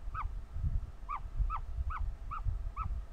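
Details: Hatching ostrich chick, very vocal during its hatch; clear arched peeps repeated about every half second against low-frequency rumble.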